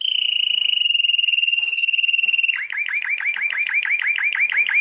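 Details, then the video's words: Canary song, described as by a world champion: a long steady whistled trill held level, then a fast series of repeated swooping, bubbling notes. "Canto de canario"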